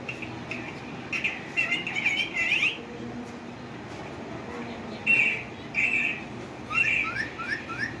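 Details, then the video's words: Green parrot producing scratchy whistled phrases: a warbling run of notes, a pause, then several rising and falling squeaky calls in quick succession, with little other sound. "my cute green parrot talking"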